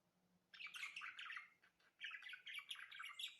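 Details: Budgerigar warbling starts after a short quiet moment: dense chattering chirps and squawks in two bursts separated by a brief gap.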